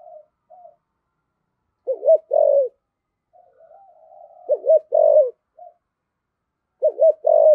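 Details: Spotted dove kept as a decoy bird, cooing continuously in the 'thổ' voice style: three loud phrases about every 2.5 seconds, each a quick doubled note and a longer falling hoot, with soft murmuring coos between.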